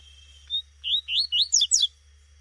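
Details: Female double-collared seedeater calling in the wild: a quick series of about six bright, upward-sliding chirps lasting around a second, over a faint continuous high tone.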